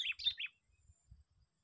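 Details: Sooty-headed bulbul lure bird during its sixth fighting day: three quick downslurred chirps, followed by soft low thumping sounds.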